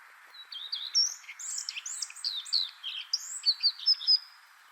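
A common redstart sings a quick, varied phrase of high, sweet whistles and scratchy twitters, ending in a run of bright repeated notes, over a faint steady hiss.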